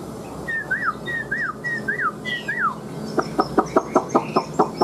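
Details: Newly moulted caged Chinese hwamei repeating a whistled phrase four times, each a level note breaking into a downward slur, then a quick string of about nine hard clicking notes.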